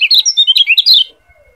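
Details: Lombok yellow white-eye, tutor song for training other birds: one second of dense, very quick, high twittering with sliding, whistled notes tumbling over each other, then it stops abruptly.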